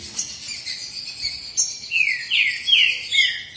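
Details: Male green-winged saltators in a singing duel: a thin high buzzing tone leads into four quick falling whistles at the end.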